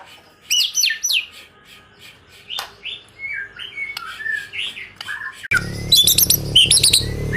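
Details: A bird stated to be a white-rumped shama prepared for competition sings scattered whistled phrases and slurred notes, then a strong low hum starts midway while fast, high, ringing notes continue over it.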